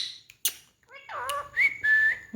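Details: Indoor pet ringneck parrot gives speech-like voiced syllables with falling and curving tones, followed by a short upswept whistle and a long flat whistle, with sharp clicks between.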